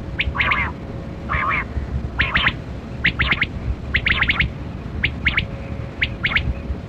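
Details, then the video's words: Kali kirak quail (batera) heard in a hunting setting: hoarse, squawking chirps in tight bursts of two to four notes, roughly one burst per second, with a constant low rumbling background. "Sound Of Kali Kirak Quail Batera"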